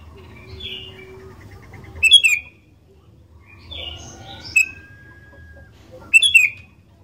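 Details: Lively sooty-headed bulbul song, played as a lure to set other bulbuls singing: a short warbled phrase, then loud ringing chirps repeated about every two seconds, with a long steady whistled note in between.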